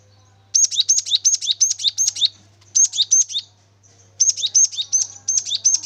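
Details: Lively cinereous tit song played to coax another bird into singing: three bursts of quick, high, ringing two-part notes, each a bright whistle dropping to a lower chip, rattled off rapidly with short pauses between.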